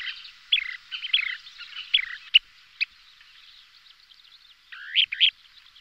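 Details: Calls of a Kentish plover pair in display flight: a few descending chirps, two isolated sharp clicks, a lull, then a rising swept note with a final chirp.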